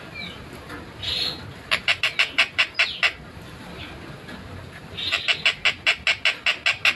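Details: Long-tailed shrike in a lively, clear, fast tight song: a brief buzzy note, then two bursts of harsh, rapidly repeated rasping pulses separated by a short pause.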